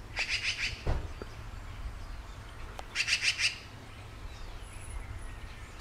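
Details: Yellow-billed magpie (Pica nuttalli) in California giving its typical call: two short bursts of harsh, rapid chattering notes, about five per burst, a few seconds apart, over a low background rumble.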